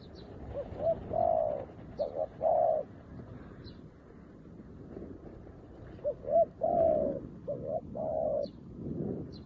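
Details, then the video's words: A new spotted dove, used as a decoy that calls wild doves like an experienced one. It gives two mellow coo phrases a few seconds apart, each of quick short notes then longer drawn-out coos, with faint high chirps in the background. "លលកថ្មីមែន តែធ្វើហៅព្រៃដូចធ្នាក់ចាស់"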